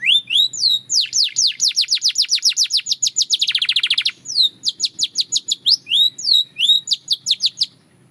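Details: Belgian canary singing long runs of rapid, high falling notes, a brief dense rolling trill in the middle, then more spaced sweeping notes fading out.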